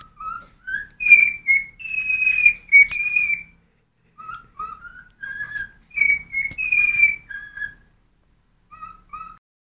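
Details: Cockatiel kept as a pet, singing when hungry: clear whistled phrases, short rising notes followed by longer sustained and slurred whistles in bursts, with pauses between phrases and a final pair of soft short notes.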